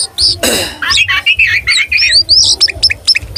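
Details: Tame oriental magpie-robin in full song with its tail spread, a song meant to rouse rivals: harsh buzzy phrases, then warbled mid-pitched notes and rising high whistles in quick succession, over a low background hum.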